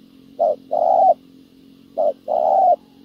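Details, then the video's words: A Spotted dove coos twice, a short low note then a longer mellow drawn-out coo, the pair repeated about every 1.5 seconds over a faint steady hum; a decoy bird calling to lure wild doves. "bẩy cu gáy mồi đất hay..gặp bổi đồng gù khá tốt"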